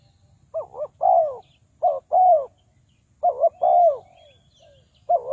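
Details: Spotted dove used as a lure for trapping wild doves: repeated low cooing phrases, each a couple of short notes then a longer slurred coo, in groups roughly every two seconds, with faint higher chirps in the background.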